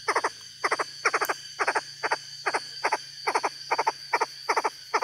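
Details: A captive decoy Chinese francolin, a bird of hill tea plantations, gives harsh, grating bursts of three or four quick notes, repeated about twice a second, over a steady mechanical hum.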